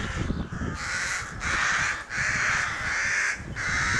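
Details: Excited crows around their nest at a rookery, May 2018. Five long, raspy caws follow one another with brief gaps, loud and steady, over faint low rumble.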